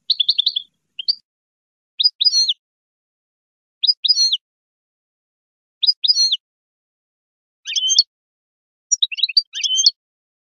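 A European goldfinch sings bright, tinkling twittered phrases, high and quick, repeated every two seconds or so with brief pauses between bursts.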